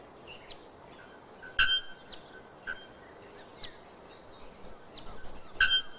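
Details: Bare-throated bellbird, called araponga or ferreira, with two loud metallic clanking notes about four seconds apart, amid fainter chirps from other birds and a steady natural background hiss.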